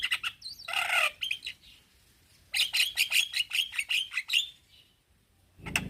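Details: Javan myna male calling young mynas: a squeaky opening, a loud harsh buzzy burst, a pause, then a quick series of raspy chattering notes and a final harsh note.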